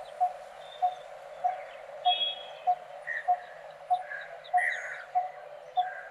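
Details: Coppersmith barbet, a resident bird of open wooded country and groves, giving its steady, hollow, mid-pitched 'tuk' note about every 0.6 seconds, ten notes in a row, while faint chirps of other birds sound higher above.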